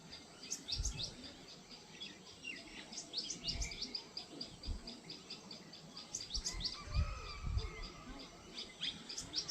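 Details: Plum-headed Parakeet, apparently an adult male with an all-red head, in forest of Rajaji Tiger Reserve near Rishikesh, India, giving short, shrill, high chirps in scattered bursts, with low rumbling handling noise and a faint voice underneath.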